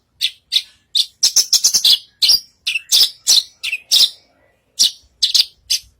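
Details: Horsfield's bush lark (branjangan) in strong song on a stage, mixing rapid chattered notes, downslurred whistles and sharp chips in a lively, varied stream.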